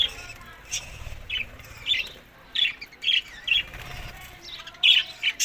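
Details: Budgerigars feeding on summer food, May to June, in Larkana, Sindh; separate short, sharp chirps at irregular intervals, some paired, against a quiet background.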